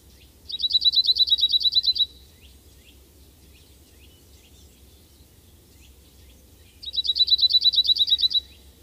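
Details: Cirl bunting singing: a dry, rattling trill of about a dozen fast identical notes lasting over a second, repeated after a pause of several seconds, with faint distant birds and a low background hum.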